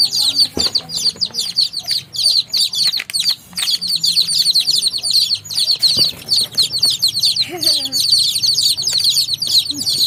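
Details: Chorus of baby chicks: constant shrill peeps tumbling over each other for the whole stretch, with a couple of sharp knocks and a brief lower sliding call near the end.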